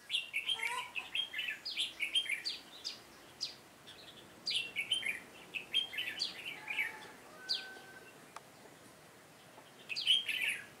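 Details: Red-whiskered bulbul used as a decoy to lure wild birds, recorded 7 September 2018. A rapid series of cheerful whistled phrases fills the first half, then quieter single notes and a final bright burst.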